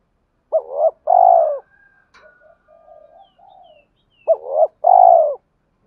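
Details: Spotted dove giving a lure coo meant to spur fighting and call a mate: two matching phrases about four seconds apart, each a short hollow note followed by a longer drawn-out falling coo, with faint soft murmurs between.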